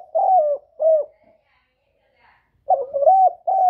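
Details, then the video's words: Loud spotted dove, a kept bird recorded directly and cleanly, cooing: two short low coos, a silent pause, then a rolling multi-note phrase followed by another hoot. "Tiếng chim cu gáy lớn giọng"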